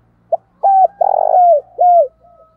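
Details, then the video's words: A decoy spotted dove coos to make wild birds answer. One full phrase: a short soft note, a clipped coo, a long vibrating croon sliding downward, then a final falling coo, with a faint low hum beneath. "Chim Cu Mồi Thúc Gù"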